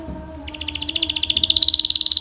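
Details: Belgian canary launching into a strong, very rapid rolling trill of high notes after a short quiet moment, steady and clear throughout.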